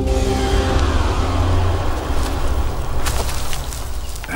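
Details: Low engine rumble and speech-like murmur with passing whooshes, but no animal calls. A few sharp clicks and swishes occur near the end.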